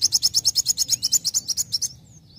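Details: Young sunbird sings to provoke others into song: a fast, even trill of about fifteen bright high chirps in under two seconds, then fading thin whistles.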